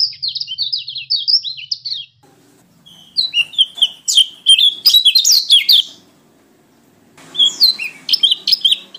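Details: Pleci white-eye of Lombok/NTT singing in gacor ngalas fashion. A run of quick, high, wavering whistles gives way after a short silence to dense chattering twitters, then another pause and a further twittering burst.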